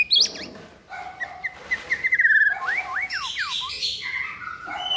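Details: Young caged White-rumped shama in varied giong day style song, sitting on a table: a sharp high note, a sustained whistle, then a string of quick downward-swooping whistles.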